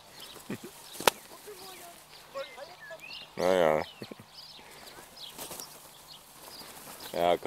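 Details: Crows on an evening outing, offered nuts and almond kernels by a person; two loud, harsh, raspy caws, one mid-clip and one near the end, with soft German speech, clicks and faint background chatter between.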